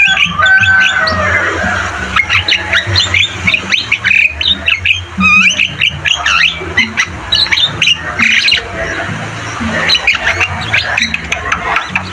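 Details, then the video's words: Lively Javan myna song, recorded as a training recording for other birds. Dense bursts of squawks, creaky chatter and brief rising whistles go on almost without pause, with a constant low drone in the background. "Masteran burung jalak kebo gacor"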